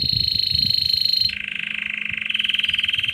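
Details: Intense yellow Belgian canary singing a lot: fast, even rolled trills held as long tours, a high tour dropping abruptly to a lower rattling one, then shifting up slightly again.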